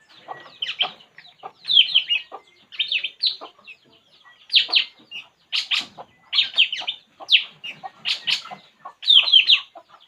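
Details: Puling bird calling steadily while relaxing: short clusters of high, thin chirps repeat irregularly about every second, mixed with dry clicks.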